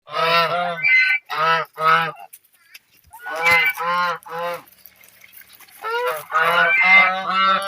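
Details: Geese playing in water, giving loud nasal honks in bursts of two to four, with short pauses between groups.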